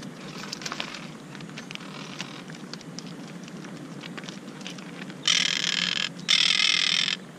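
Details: Monk parakeets at their nest under construction, upset after someone climbed their tree and placed a camera, fussing at it: faint scattered clicks, then two long, loud, grating squawk bursts of about a second each near the end.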